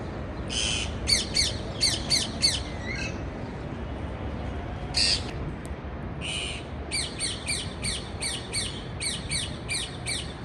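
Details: Parakeet chirping in harsh, buzzy bursts, rapid runs of short rasping notes broken by longer grating squawks and a brief pause, over steady low background hum.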